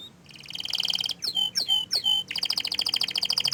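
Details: Canary keeping out of sight, singing a high rolling trill, three loud sweeping slurred notes, then another fast pulsing trill.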